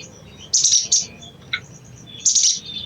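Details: Brief burst of crimson sunbird chatter used to stimulate other sunbirds: two quick harsh, very high scratchy notes, a short pause with a tiny tick, then another rasping cluster.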